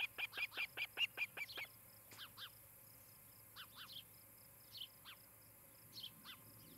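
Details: Osprey pair at their nest near Charlo, Montana, on a nest camera, evening of 17 July 2018; a quick series of about eight sharp, high whistled chirps, then scattered softer paired chirps over a steady faint electrical tone.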